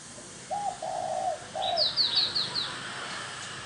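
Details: Spotted dove decoy coo meant to entice wild doves: three low, rounded coos, then a rapid series of about five thin, high repeated notes from another bird.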